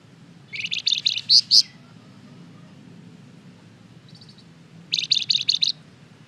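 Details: Flamboyan songbird in full song, used as a lure to make other birds answer: two bursts of rapid, high, sharp chirped notes, about six each, separated by a quieter pause with a faint short trill, over low background hum.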